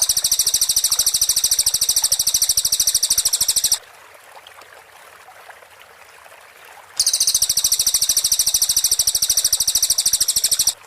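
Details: Training master of a cililin for white-rumped shamas, clear 'tembakan rapat' delivery: a very high, rapid pulsing trill for almost four seconds, a pause of about three seconds, then a second equally fast, even trill.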